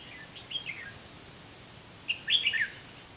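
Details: Red-whiskered bulbul at a trap where a decoy bird faces wild birds: two brief, softer, slurred warbling phrases about a second and a half apart over quiet background.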